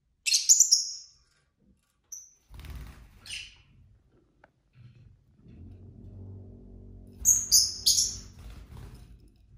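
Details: Several pet lovebirds indoors, chattering among themselves: a burst of shrill chirps at the start, a low humming rumble and scattered clicks in the middle, then another cluster of three rapid shrill chirps near the end.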